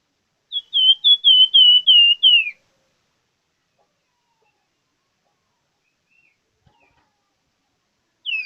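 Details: Singing plamboyan bird (gacor) gives a rapid string of about eight high whistled notes that dip at the close, then falls quiet for several seconds before beginning a new phrase.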